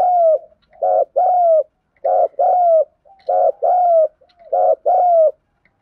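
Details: Repeated 'thúc gù' cooing of a spotted dove. Steady pairs of deep, vibrating notes, the second longer and sliding down, given in an even rhythm with no other sounds.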